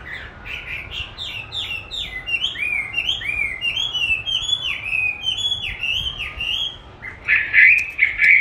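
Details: Chinese hwamei trained with playback of its own singing, which it enjoys dueling; a steady series of looping whistled notes, ending in a loud burst of harsher warbling.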